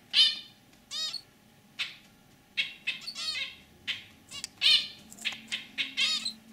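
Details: Pet zebra finches, a lively male and a white female, give nasal, trumpet-like beeps in short separated bursts, about ten calls spread over several seconds in a quiet room.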